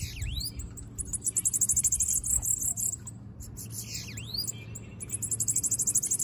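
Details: Loose sibite (bananaquit) singing high, hissing, insect-like buzzy trills broken by sharp swooping V-shaped notes, in bursts with short pauses, over low background rumble.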